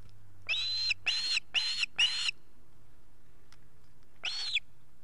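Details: Osprey chicks at the nest in Estonia on 8 August 2018, all chicks at home. Four loud, ringing, whistled calls come in quick succession over about two seconds, then a pause, then one more similar call near the end, over a faint low hum.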